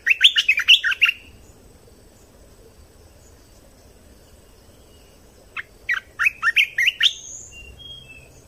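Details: Training song of a red-whiskered bulbul, played to young birds and to excite birds: a one-second flurry of chirpy, bubbling whistles, about four seconds of quiet, then a second rapid burst ending in a thin high note.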